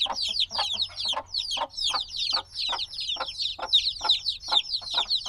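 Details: Very noisy black baby chickens a few days out of the egg chirp loudly, bright downward-slurred peeps crowding one another, while soft thuds tick along at a quick uneven pace.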